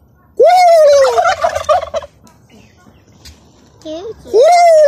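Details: Three farm turkeys, one white and two black, let out a loud, rapid, rattling synchronised gobble together, then after a pause a brief softer note and a second full gobble burst.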